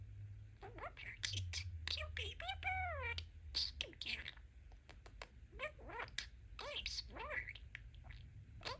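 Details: Male pet budgerigar talking indoors and practising his new phrases "Let's Rock" and "Let's Play": quick, squeaky mimicked words mixed with chirpy warbling twitters and sliding whistles, over a quiet low hum.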